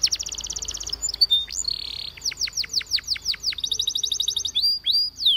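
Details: For training canaries, a Waterslager canary sings a rapid high rolling trill, a short buzzy note, then a series of sweeping whistles and another fast trill ending in loud hooked notes.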